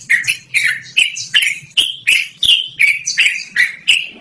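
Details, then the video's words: Yellow-vented bulbul singing loud, melodious 'ngerol' song used for luring or as a training model; a steady run of short bubbly, slurred phrases, nearly three per second. "BURUNG TRUCUKAN GACORR NGEROL DURASI PANJANG"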